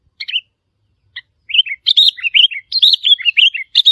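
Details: Wild sooty-headed bulbul calls used to challenge territory holders: a busy run of bright, quick chirps and short warbled notes, sparse at first, then tumbling almost continuously.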